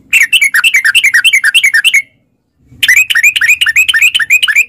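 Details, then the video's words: Sooty-headed bulbul song used as a lure for caged bulbuls: two fast, busy bursts of rolling, warbled notes, each about two seconds long, separated by a short silence. "trucukan gacor TARUNG ROPEL PANJANG pancingan trucukan agar bunyi jadikan burung trucuk gacor NYAUT"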